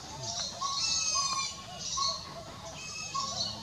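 Collared owlet giving soft, evenly pitched whistled hoots, spaced about every half second, over a bright hissing buzz of insects and faint human voices.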